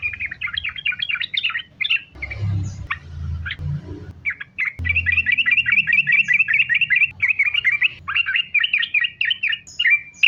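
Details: Sooty-headed bulbul singing vigorously in continuous sambung ropel style, used as a lure to get bulbuls singing: rapid chains of short bubbly chirps, broken midway by a few scattered notes over low rumbling noise, then resuming in a steady stream.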